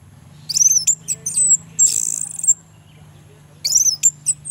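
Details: Male orange-headed thrush song, used as a lure to prompt lazy males to sing: loud, high, rapid phrases of whistles and sharp chattering notes, with a short pause before a fresh phrase, over a low steady hum.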